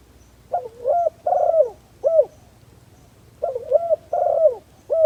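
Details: A spotted dove serving as a decoy to bring in wild doves repeats its coo phrase twice. Each phrase is a husky rising note, a longer drawn-out coo and a falling final note, separated by a short quiet gap.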